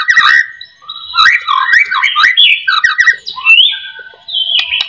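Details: White-rumped shama song used as a lure to get reluctant shamas singing: a rich run of varied warbled and slurred whistles, some descending, some buzzy, with short pauses between phrases and a faint steady high tone behind.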